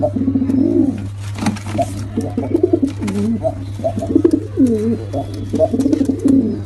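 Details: Low, gurgling pigeon coos from a male and female, overlapping and swelling in pitch at intervals, delivered in an almost unbroken string above a steady background hum.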